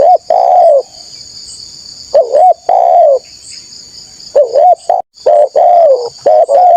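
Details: Persistent, loud spotted dove used to lure wild birds: long hollow coos and wavering upturned notes in irregular bursts, with one brief dropout, all above a steady high-pitched whine.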